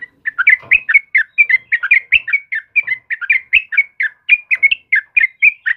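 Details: A sooty-headed bulbul sings energetically in the morning, pouring out a continuous, rapid chatter of short slurred chirps and two-note phrases, with hardly any pause between notes throughout.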